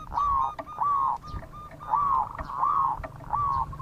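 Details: Local zebra dove singing its bekur song, used as a lure for other birds; rolling, slurred cooing phrases near one pitch, repeated about four times with brief gaps, over a low steady hum.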